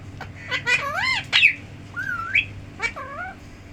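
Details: Tame talking parrot, a mithu, producing clear whistled, wobbling syllables that swoop up and down like mimicked words, several short phrases in under four seconds.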